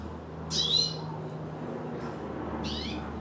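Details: Ten-day-old red siskin chick being hand-fed: two short, high, buzzy squeaking bursts about two seconds apart, over a steady hum of room noise.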